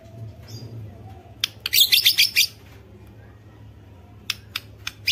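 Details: White-rumped shama, kept as a cage bird and used to provoke other shamas into singing: a burst of rapid, bright, high whistled and chattering notes near the middle, then a few sharp clicks and a short phrase at the end, over a low background hum.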